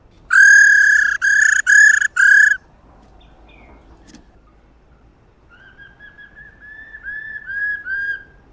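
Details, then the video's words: A female laughingthrush gives four loud, nasal, rich rolling notes in quick succession, then a softer run of short clear notes several seconds later; the recording is played to stimulate caged laughingthrushes to sing. "KHƯỚU MÁI RO QUÁ ĐỈNH Kích Trống Hót Căng Hót Hay"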